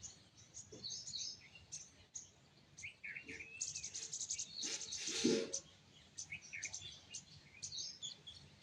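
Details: Sunrise chorus of chirping birds, many high, quick twitters and short notes scattered throughout, with a loud rustling, hissing burst in the middle and a dull thump.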